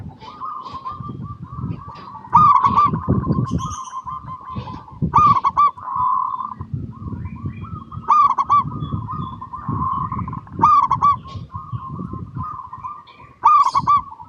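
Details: Zebra dove of local stock singing, recorded to coax other zebra doves into song; short bright bursts of rapid rolling coos recur every few seconds over a continuous bed of softer cooing and low background rumble.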